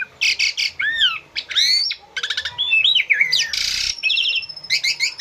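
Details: Asian pied starling in loud, varied song, recorded to train captive birds to imitate. Dense run of slurred whistles, rising and falling sweeps, buzzy trills and a harsh burst, with almost no gaps.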